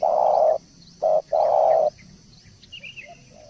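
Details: Spotted dove singing actively: a loud, low coo pattern of a long note, a short note and another long note, then quiet, with faint chirps from small birds in the background.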